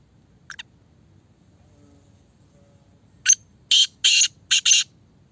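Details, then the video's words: Black francolin described as a speeder, a fast caller; after a faint note and quiet pause comes one harsh phrase of a sharp opening note and four loud rasping, scratchy bursts in quick succession. "Speeder black Francolin"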